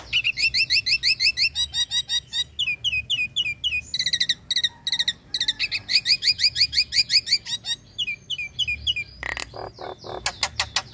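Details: Female Nias hill myna in breeding condition calling the male with long, fast runs of repeated bright chirps, several per second, broken by short pauses and ending in harsh clicking bursts.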